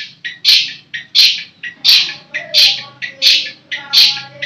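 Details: Captive long-tailed shrike uttering regular raspy squawks about every 0.7 seconds, each preceded by a brief quieter chip, with a faint low hum behind.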